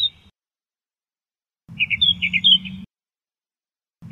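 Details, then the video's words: Australian reed warbler, an Australian endemic of reedbeds. One brief chattering phrase of several quick, rich notes sits between stretches of silence, with clipped fragments at both edges. "SUARA KICAU BURUNG Kerakbasi australia"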